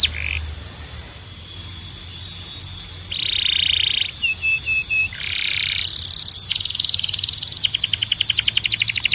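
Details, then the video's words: A Belgian canary sings a varied song of high buzzy rolls, clipped whistles and fast trills, ending in a rapid stuttering run, over a faint steady high tone. "Belgian Canary… It Might Sing Non-Stop"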